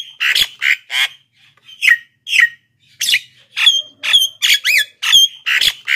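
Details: Energetic Black-winged myna singing, a recording meant to call wild mynas and coax lazy captive singers: bursts of grating, buzzy squawks followed by a rapid string of sharp whistled notes, some sliding up and down.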